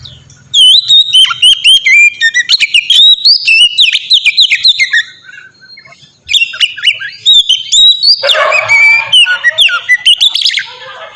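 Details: White-rumped shama song as a lure for other shamas: long rapid stream of whistled, rising and falling notes with sharp chips, a short lull, then another lively phrase ending in a harsher buzzy passage.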